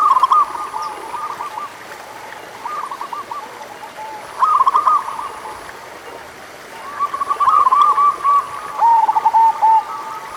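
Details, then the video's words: Zebra dove song of the local type, meant to coax quiet doves to sing: scattered short phrases of rapid stuttering coos with quieter gaps between, two birds answering each other, a faint high tone and hiss underneath. "100% Ampuh Buat Perkutut Malas Bunyi - Pancingan Suara Burung Perkutut Lokal"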